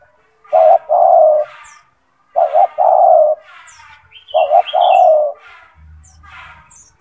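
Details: Kept spotted dove (tekukur) with a loud, strong gacor voice, used for training other doves. It repeats a phrase of a quick double note then a drawn-out coo, three times, with faint high chirps from other birds.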